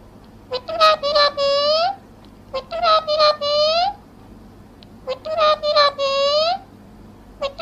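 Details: Talking parrot repeating Hindi words, including "mera pyara babu" and "Radhe Radhe", in a high, child-like voice. Three similar spoken phrases with short pauses between them, recorded indoors.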